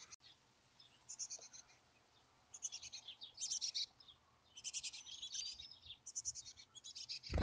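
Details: Wild chickadees at a nest cavity near Emigrant, Montana, in July, on the last day of nesting activity; several bursts of high, buzzy chattering notes come in short clusters, with faint background noise.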